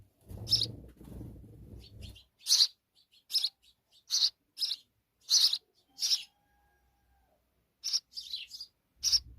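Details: Nestling sparrows in Pakistan, fed insects by their mother, give sharp high chirps in short bursts, some doubled, after an opening of low rustling and thumping noise; a faint thin tone runs midway.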